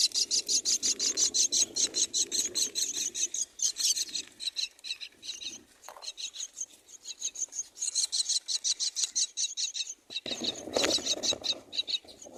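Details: Four myna chicks in a nest begging while being fed: a rapid, harsh rasping chatter, dense buzzy pulses repeated several times a second, pausing briefly midway, with rustling and soft background noise.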